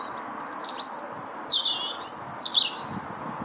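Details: Lesser redpoll feeding at a nyjer feeder in a Howdon garden on 3 May 2016 gives a quick run of thin, high twittering and buzzy chirps, several notes a second, over a low steady background hum.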